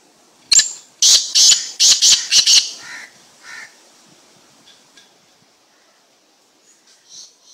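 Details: Slate-coloured black francolin, called an odd kind, uttering a quick run of about six loud, harsh, high rasping notes, then a couple of softer lower squawks and faint calls fading out.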